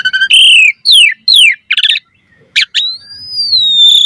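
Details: Asian pied starling singing a varied song meant to draw in other starlings: falling whistled slurs, a harsh burst, and a long pure whistle held and gently rising then falling at the end.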